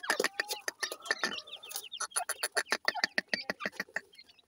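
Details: Several grey francolin chicks held for sale in Multan give dense, overlapping, high peeps. The short chirps slide up or down and mix with sharp clicks and tapping at about three per second.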